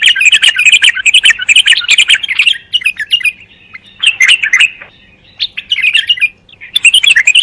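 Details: Bulbul song in lively bursts of quick, sweet chirping and tumbling warbles, separated by brief quiet gaps of about a second, with thin high ticks mixed in.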